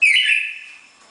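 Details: A single note of the classic four-note Bagé song from a red-crested cardinal pair: one clear, high whistle that starts sharply and trails off over about a second.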